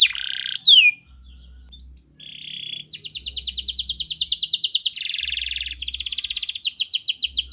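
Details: Canary singing hard as a lure for a lazy canary: a few sharp falling whistles and a short buzz, then long, rapid, evenly pulsed trills lasting several seconds, switching pitch midway.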